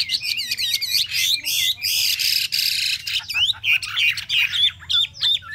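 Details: Caged Chinese hwamei, kept in a cage for three months, singing a dense, varied song of rapid slurred whistles that swoop up and down, mixed with harsh, buzzy bursts and short chattering notes, almost without pause.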